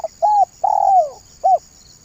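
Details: Spotted dove banggo bocor lure call: a level cooing note, a long rough coo sliding down, then the start of the next phrase with a short arched note; faint high hiss.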